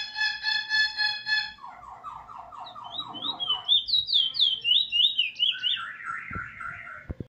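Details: Trinidad bullfinch, a proven teacher in sixth black plumage, 19 February 2020, singing a varied phrase: evenly repeated harmonic buzzy notes, a lower series of rolling notes, then rapid high slurred whistles that fall into warbling trills, ending in clicks.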